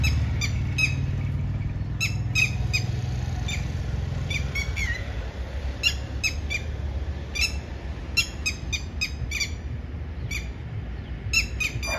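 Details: A red-wattled lapwing, one of a family with two chicks, gives sharp, shrill, high notes in quick irregular bursts, several per second at times, over a steady low rumble of wind or distant traffic.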